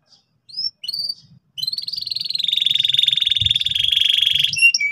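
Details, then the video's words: Canary in full, loud, persistent song in the ngeriwik style, played to help young canaries learn. A few short rising whistles open, then a long, even, rapid buzzy trill that swells in volume. Faint low background rumble. "suara kenari gacor ngotot keras biar kenari paud cepat belajar bunyi ngeriwik"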